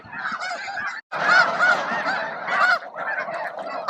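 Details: Snow geese flock at Bosque del Apache around noon, feeding and squabbling over space; a dense run of nasal honks, a brief cut near one second, then the clamour resumes.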